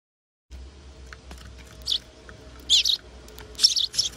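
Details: A Eurasian tree sparrow chick, apparently angry, gives harsh, raspy, high "barking" chirps in three or four uneven bursts at a bird feeder, over a faint low hum.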